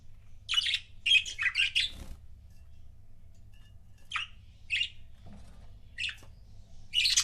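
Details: Pet budgerigar couples chirping indoors: bursts of harsh, scratchy chirps in quick clusters early on, then single short chirps spaced about a second apart, ending in a loud squawky burst; low room hum underneath.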